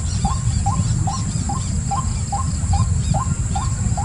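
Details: Repeated short upturned notes from a white-breasted waterhen, spaced evenly about half a second apart, against heavy low-frequency noise and a steady high-pitched hum.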